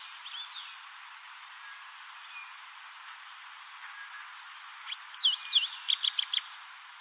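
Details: African pied wagtail calling in Port Alfred, Eastern Cape, South Africa. Soft, faint notes at first, then a sudden burst of loud, high, slurred whistles followed by a quick run of short clipped chips.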